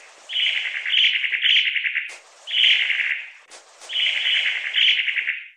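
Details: Repeated rattling churrs from a long-tailed tit: three pulsed, buzzy phrases of around a second each, the first and last slightly longer, with quiet breaks between them.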